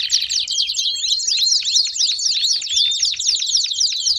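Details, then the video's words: Baderna-style canary song: fast, loud, high rolling trill made of rapid downward-sweeping notes, about four per second, with whistled strokes woven through, delivered without a pause. "Canário Baderna de Para Esquentar Seus Canários!!!"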